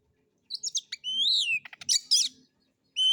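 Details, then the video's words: Oriental magpie-robin in a relaxed, nonstop solo song with rough phrases, used as a lure to make other birds sing: loud rich whistles, a long arching whistled note, then harsh buzzy chatters in quick bursts. "Pancingan Suara Kacer Santai; NGEPONG NGEPLAY SENDIRI MATERI KASARAN"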